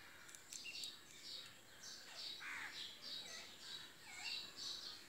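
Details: A pair of cockatiels: faint, repeated short chirping calls, some sliding down in pitch, given about twice a second over a steady background hiss.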